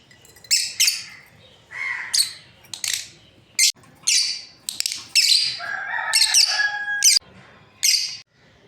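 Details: Lively series of sharp, high lovebird chirps from a breeding pair, closely spaced and uneven, joined near the end by a sustained whistled tone lasting about a second.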